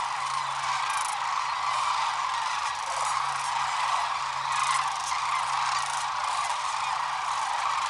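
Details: Morning liftoff of a big sandhill crane flock on Nebraska's Platte River, Rowe Sanctuary: a wall of countless overlapping rattling bugles forming a steady, unbroken din, captured with a point-and-shoot camera.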